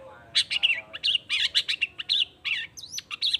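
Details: Long-tailed shrike in full song, meant to make other shrikes respond: a rapid, dense chatter of scratchy, varied notes with a few sweeping whistles near the end, almost continuous throughout.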